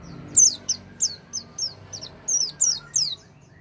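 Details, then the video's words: Oriental white-eye lure sound meant to make a silent white-eye sing: a series of about ten sharp, high, downslurred chirps in quick, uneven succession over a faint low hum. "pancingan pleci macet bunyi dengan suara ini"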